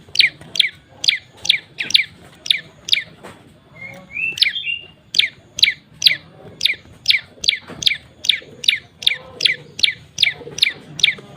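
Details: A moss prinia (prenjak lumut) used as a lure call gives sharp, high chipping notes, two to three a second in an unbroken series, with a brief buzzy flourish midway.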